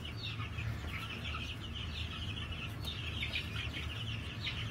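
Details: A flock of New Hampshire chickens on a farm on 22 March 2021 gives continuous busy high-pitched cheeping and trilling notes that overlap, with constant low background hum.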